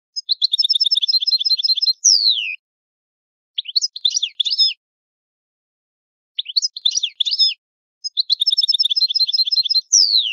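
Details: European goldfinch, Italian old-style song: evenly repeated twittering trills each ending in a falling whistle, with short scratchy twitter groups between long pauses. The pattern repeats roughly every six seconds.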